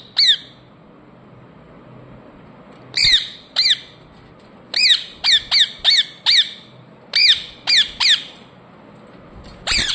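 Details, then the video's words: Pet ring-necked parakeet chirping: sharp, harsh squawks, each dropping quickly in pitch. They come singly or in quick runs, about eleven in all, with short quiet gaps between them. "Ringneck parrot Chirping sounds"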